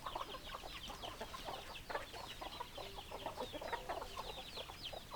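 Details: Chickens, hens and roosters, calling together: continuous high chirping peeps over clucks. Some brief level tones sound in the middle of the clip.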